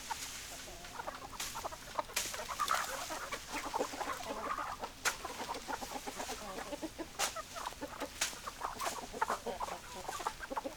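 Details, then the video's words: Hens and roosters clucking: many low, soft, overlapping clucks from several birds, with sharp clicks and knocks scattered throughout. "Chicken Sounds Noises Hens Clucking Roosters Crowing"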